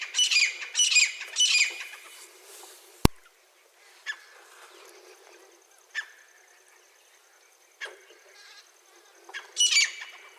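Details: Wild grey francolin giving three harsh, high squawking phrases in quick succession, then near quiet with a sharp click and a few faint short calls before one more grating phrase at the end.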